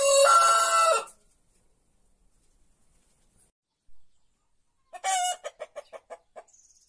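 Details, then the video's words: White rooster at dawn in Andalusia: the loud, hoarse tail of a crow fades within a second, then after a pause comes a short burst and a quick series of clucking notes. "Gallo cantando"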